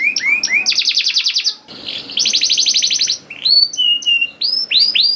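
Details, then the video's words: Canary song used to coax young canaries into singing; short rising whistles, then two bursts of harsh rattling trill, followed by bright sweeping and upward-hooked notes. "KENARI GACOR DOR NGEDUR NGOTOT CUIT CUIT NGEROL AMPUH PANCINGAN KENARI PAUD"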